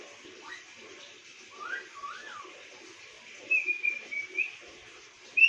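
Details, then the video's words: A parrot gives soft, slurred whistled tones: a rising-and-falling note early on, then a higher, drawn-out whistle with short wavering notes and a sharp final whistle, over a faint hissy background. "Parrot talking"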